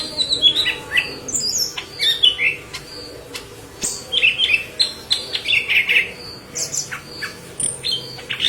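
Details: Yellow-headed leafbird singing hard, a tutor recording for green leafbirds; lively, varied chatter of piercing chirps, rising and falling whistles and quick trills running almost continuously.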